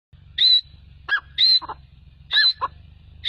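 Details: A francolin, called Irani teetar, calls in a loud, repeated phrase about once a second: a high whistled note followed by harsher, lower grating notes, over a faint low hum.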